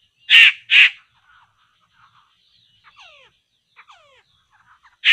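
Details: Laughingthrush (poksay) at a trap site: a quick pair of loud rasping bursts, then faint slurred whistles and soft notes, ending with another harsh burst.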